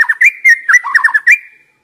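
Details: White-rumped shama song played to stimulate young wild-caught birds that are stressed and stop singing; a rapid run of rich whistled notes, sliding up and down, with rising flourishes, lasting under two seconds.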